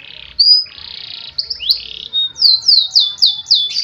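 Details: Canary singing: a sustained high whistle and buzzy rising slurs, then a steady run of quick, sharply falling whistled notes, about five in a row, with faint low hum beneath.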